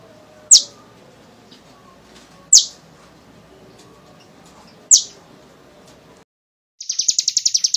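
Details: Kolibri ninja sunbird, used as a lure to make young sunbirds sing, giving three isolated sharp high chips about two seconds apart, then a brief silence and a fast high trill.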